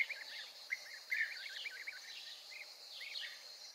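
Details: European bee-eaters in a courtship gift display give bursts of liquid, rolling calls, a dense run then a few spaced single notes, against a steady high insect buzz.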